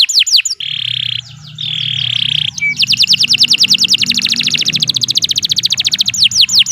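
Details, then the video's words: Canary song for training other birds, long and energetic: a few sweeping notes, two sustained low buzzy tones, then a long fast trill of rapidly repeated sweeping notes. "11 Suara Burung Kenari II GACOR PANJANG Cocok untuk Masteran"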